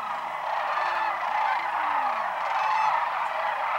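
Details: Sandhill cranes arriving in waves at Whitewater Draw, southeastern Arizona, on January 1, 2012, returning near midday from fields; a thick wall of rattling, bugling calls from a huge wintering flock, steady throughout.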